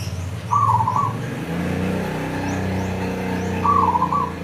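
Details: Local zebra dove in full song, used to prompt kept doves to sing: two short trilled coos near the same pitch, about three seconds apart, over a steady low hum and faint high chirps.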